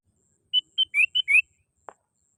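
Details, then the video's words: Sooty-headed bulbul call for luring birds: five crisp notes in under a second, level whistles alternating with rising slurs, followed by a soft click. "SUARA PANGGILAN BURUNG KUTILANG GACOR"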